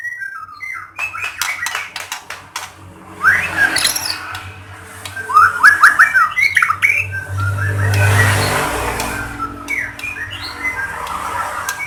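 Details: White-rumped shama song for provoking other shamas to sing: scattered clicks, then rapid rising note runs and varied chattering phrases over a low steady hum and background noise.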